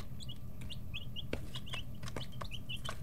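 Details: Brooder chicks aged 11-13 days, busy pecking and feather stretching, chirp in bright, quick high peeps, some rising, amid loud tapping clicks and an underlying low hum.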